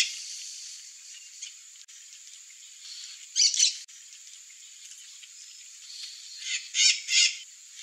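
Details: Curl-crested jay calls come in two widely spaced bursts of rough, clipped notes, a quick pair midway and a louder cluster of three near the end, against a constant shrill background hum.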